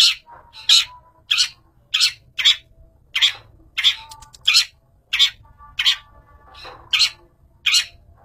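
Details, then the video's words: Long-tailed shrike, billed as a fighter master bird, repeating a loud, harsh, grating squawk about every three-quarters of a second. Faint softer notes come between the squawks. "MASTER BIRD CHIRPING THE LONG TAILED SHRIKE FULL 30 MINUTES FIGHTER"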